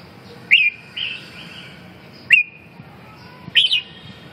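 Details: Red-whiskered bulbul giving short sharp whistled notes, three brief bright bursts spaced over four seconds, each with a quick downward slur, softer fainter notes between them against quiet background hiss.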